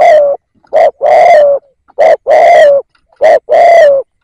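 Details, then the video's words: Decoy spotted dove calling to draw in wild doves: three loud, low cooing phrases in quick succession, each a brief clipped note then a drawn-out coo that sags at the end. "Tiếng Cu Gáy / chim cu gáy kích bổi nhanh nổi"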